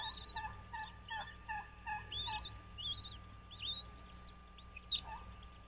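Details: Bald eagles at their Dale Hollow Lake nest on the Kentucky-Tennessee border, 06:05, 06.03.2023: a series of short, evenly spaced piping notes, followed by high arched whistles, with a constant electrical hum behind.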